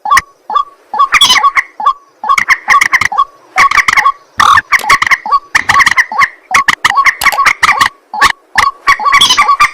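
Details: Night-time calling of a white-breasted waterhen: a continuous stream of rough, grunting croaks and short metallic notes, rattled out in fast clusters almost without pause.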